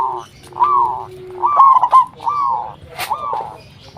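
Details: A local zebra dove lure call intended to make other doves answer, made of drawn-out arched coos, one broken into a quick warble. A faint lower drawn tone sounds at the start.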